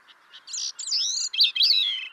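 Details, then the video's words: Grey-cheeked thrush singing a short phrase: a few soft high notes, then a sustained thin whistle, ending in loud slurred notes that dip and rise and fall away at the close. "Grey-cheeked thrush"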